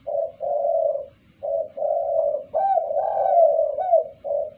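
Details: A calling Spotted Dove gives a clear run of low, mellow coos in quick succession, the later notes louder and slightly rising, used as a lure call. No other sounds stand out.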